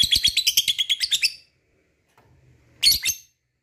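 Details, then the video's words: Lovebird ngekek, a chattering song meant to set off other lovebirds: a quick burst of about ten scratchy, high, evenly paced notes, silence, then one short harsh double rasp. "Lovebird mana yang gak bakal nyaut bila mendengarkan ini,gacor rajin ngekek panjang"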